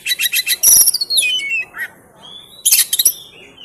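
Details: Oriental magpie-robin tutor song for training cage songbirds: rapid harsh, scratchy bursts alternating with long sliding whistles, then another quick chattering burst.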